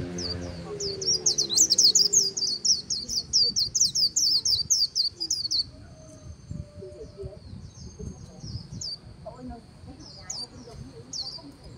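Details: A white-eye's líu song by the Kỳ Cùng river: an energetic, high-pitched stream of tumbling chirps for about five seconds, followed by scattered thin notes and brief twitters against soft background noise.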